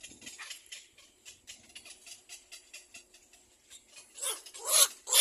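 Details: Little egret chick bites at its parent's bill: quiet rapid ticking and scratching, then loud harsh squawking bursts in the last second.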